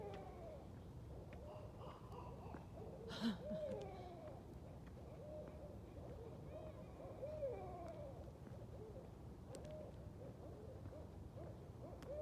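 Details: At least 3–8 barred owls caterwauling together on a night walk, flying between branches, with overlapping wild hoots and cackling, wavering notes, louder calls around three and seven seconds.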